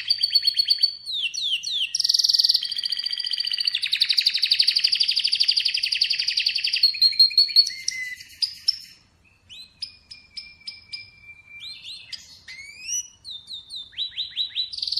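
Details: Atlantic canary song mixing quick slurred chirps, a loud rolling trill for several seconds, then a pause followed by varied whistles, long flat tones and rising flicked notes.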